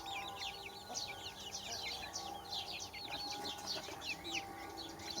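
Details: Many baby chickens chirping together, a steady stream of thin, high, down-slurred peeps that overlap without pause against a faint low hum.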